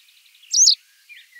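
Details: A masked wagtail (Motacilla alba personata) gives one sharp, high, slurred two-part chirp call, followed by a faint thin note; the background is otherwise quiet.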